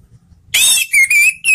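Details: Orange-headed thrush sound used to prompt other thrushes to sing: a loud harsh burst followed by clear, sustained high whistles, slightly rising, in two quick phrases.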